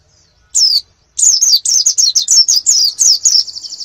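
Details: Canary master song used for training birds ahead of a national competition: after brief silence, one slurred high note, then a quick run of rising-and-falling whistled notes ending in a thin, steady buzzy trill.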